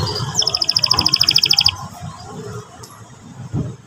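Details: Canary song used as a lure to provoke a young canary into singing: a brief, rapid, high, rolling trill of evenly repeated notes lasting about a second and a half, then quiet with faint background rumble.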